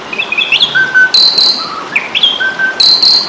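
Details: Fighting song of an Asian pied starling, played to train songbirds: varied whistled phrases, a low flat whistle, and loud harsh buzzy bursts repeating about every two seconds over constant background hiss.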